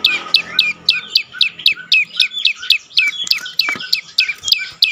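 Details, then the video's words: Prinia known as prenjak lumut, heard as bait song to get mute birds singing: rapid, loud, high-pitched downward chips repeated almost four times a second, fairly even throughout. "prenjak lumut lain makin tergoda berbunyi"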